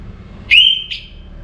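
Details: A single clear whistle from an orange-headed thrush before morning, rising then held steady, with a short second note tacked on, over a quiet low hum.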